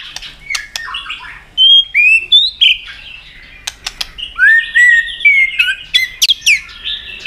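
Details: Fighting song of a white-rumped shama provoked into singing, tail-flick clicks included: scattered sharp clicks and short whistled notes, then rising and falling clear whistles, with a burst of high sweeping notes near the end.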